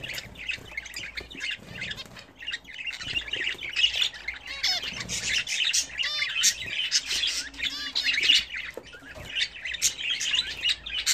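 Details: Budgerigars at their first bath in a newly fitted bath chatter continuously in busy, high-pitched warbles, with sharp squawks and quick rising and falling whistled sweeps.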